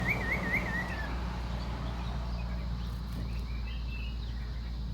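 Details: Common iora calling: a wavering, warbled trill in the first second that slides downward, then fainter whistled notes later, over steady low rumbling background noise.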